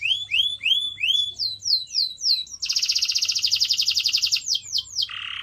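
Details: Canary singing for pet-bird training: a series of rising then falling whistled sweeps about twice a second, a dense fast trill, and a low buzzy ending.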